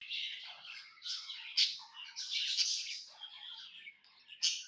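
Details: Happy pet budgie chirping: continuous soft warbling chatter of scratchy, buzzy notes, broken by a few sharper squeaks at intervals.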